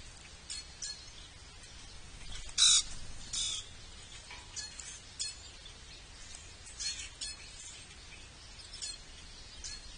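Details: Grackles at feeders in Ohio on an overcast day give harsh, scratchy chacks and creaky squeaks at irregular intervals, with one louder rasping burst, over a steady soft hiss.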